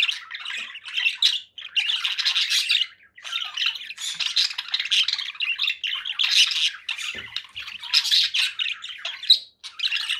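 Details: Long stretch of conure squawking: harsh, scratchy calls in dense clusters separated by a few brief gaps, with occasional shriller peaks.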